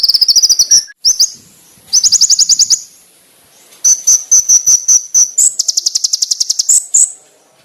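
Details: Rich, sharp konin master song for training: high buzzy pulse trills and rows of piercing clipped notes, broken by brief pauses, all loud and clear.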